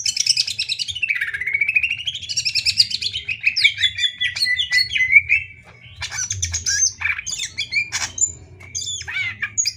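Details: Greater green leafbird song meant for tutoring other songbirds: long sweeping whistles falling and rising, then clusters of sharp buzzy chirps and rapid trills, with a faint low hum throughout.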